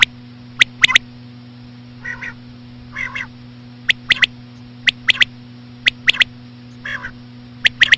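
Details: Common quail calling with slow female quail sounds: crisp three-note clicky phrases repeated about once a second, broken by softer nasal, rasping calls, with a steady electrical hum underneath.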